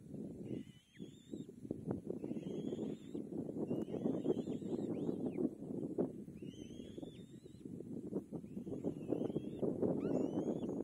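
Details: Young kite fed by its mother struggles to swallow: thin whistles that climb in pitch, repeated about once a second in a steady series, over constant low rustling noise.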